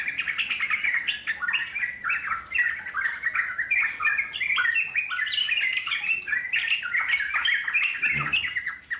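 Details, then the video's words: Yellow-vented Bulbul in the wild, singing long ngeropel phrases meant to draw answering wild birds; dense warbling chatter of quick rising and falling notes, almost without gaps, ending with a faint thump. "puterin suara trucuk alam di jamin lasung nyaut NGEROPEL PANJANG"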